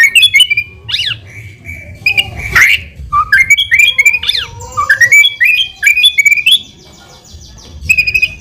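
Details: White-rumped shama in persistent full song, used as a lure to trigger quick answers: varied rich whistles, swooping slurs and sharp chips in irregular phrases, with brief pauses between bursts.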